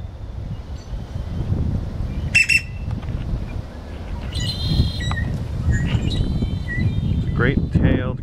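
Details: A male Great-tailed grackle (Quiscalus mexicanus) sings, mate calling, at a pond at Prince Rd and I-10 in Tucson: a ringing metallic note, a buzzy harsh phrase, then quick rising whistled sweeps, over low traffic rumble.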